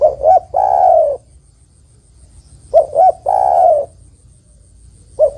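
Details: Calling female spotted dove, addressing the male: two short low notes, then a sustained coo dropping in pitch. The pattern repeats once about three seconds later, and a third phrase begins at the end.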